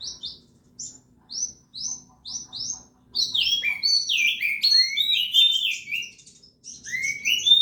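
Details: Contest-ready Oriental magpie-robin in full song, opening with a run of short clipped whistled notes repeated about four per second, then breaking into a dense, fluty cascade of rising and falling whistles and varied phrases.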